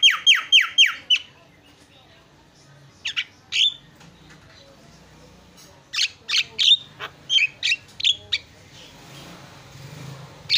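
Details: Javan myna in full song. It opens with five fast, falling squawky notes, then pauses, then gives scattered sharp chirps and whistles with faint hiss in the background.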